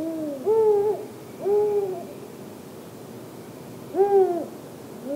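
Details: Arabian eagle-owl chick in Tanomah governorate: three arched, hooting calls with a rising then falling contour, each about half a second long, repeated at irregular intervals over a steady low background hiss.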